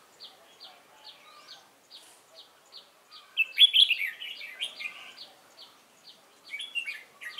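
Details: Newly wild-caught Red-whiskered bulbul delivering competition fighting song on 22 October 2018; a loud burst of rich, tumbling warbles at mid-clip and another near the end, with faint high ticking notes repeated roughly every third of a second throughout.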